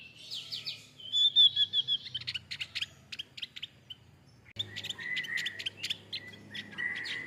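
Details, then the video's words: Male Javan grey-throated white-eye delivering quick, sharp, high chirps and short twittering runs, pausing briefly midway and then resuming with dense, rapid notes over a faint low background hum. "Terapi kicau opior Jawa Jantan"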